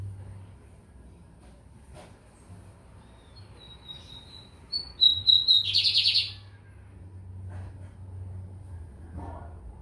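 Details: Lined seedeater (bigodinho americano) from São Luís, Maranhão, singing: a few thin high whistled notes, then a loud, dense buzzy trill lasting about a second. Quiet low hum underneath and faint clicks afterwards.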